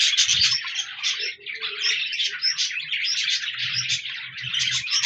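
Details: A group of budgerigars recorded 14 January 2024 chatters nonstop, a tangle of quick twittering chirps and scratchy warbles, with a few low knocks at the start and near the end.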